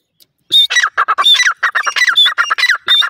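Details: Fighting caged Irani partridges (teetar) produce a dense, loud run of harsh squawking calls mixed with thin whistled notes, overlapping with almost no pause for three seconds.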